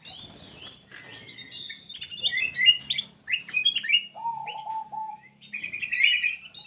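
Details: Energetic black-capped bulbul song, meant to lure other birds into singing: busy, chattering runs of quick high chirps and warbled notes, one lower steady whistle near the middle, then a buzzy trill-like phrase.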